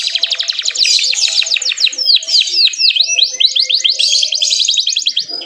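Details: Canary singing to provoke other canaries into song, mixing rapid trills with rows of swooping slurred whistles and fast repeated notes throughout.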